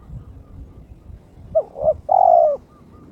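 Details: Kept spotted dove in breeding condition, calling to challenge a rival: a single phrase of two short rising-falling coos followed by one long, steady, mellow coo, over low background rumble.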